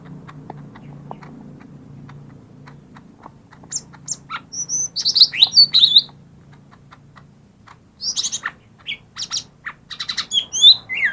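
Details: Lesser green leafbird song for prompting reluctant birds to sing: a low background hum and faint ticks, then irregular bursts of bright chirps, sweeping whistles and high twittering phrases.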